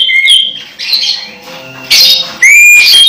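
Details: Caged orange-headed thrush about to moult and still singing vigorously: clear rising whistles mixed with harsh, scratchy bursts and quick high trills, delivered in short, uneven phrases.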